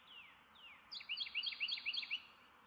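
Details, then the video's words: Two soft descending slurs precede a loud Carolina wren song of rapid, ringing, repeated phrases, about five in one second, each a sharp swoop down then up. "Carolina Wren"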